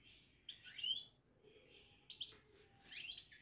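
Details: European goldfinch kept in a cage, babbling (batbata): three clustered phrases of quick, high twittering and chirping notes with slight downward slides, separated by brief quiet gaps.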